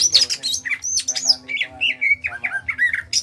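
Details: Small-bodied greater green leafbird from Kalimantan sings in the energetic ngentrok style: high whistled notes slide downward into a run of varied chirps and warbles, with a faint low hum underneath.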